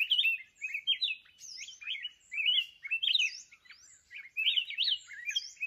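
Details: Mountain red-whiskered bulbul in Vietnam, recorded during trapping with a decoy bird: quick strings of bright slurred whistles, looping up and down in rolling phrases, loud bursts separated by short quieter gaps, another bird faintly behind.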